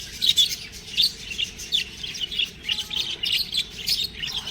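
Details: Budgerigar babies give clear, high squeaky chirps in short separate bursts, about two per second, with softer twittering between them.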